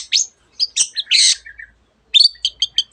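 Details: Long-tailed shrike singing intensely, mimicking a canary and many other birds: varied high whistles and a harsh buzzy rasp, followed by a quick series of bright, short chirped notes.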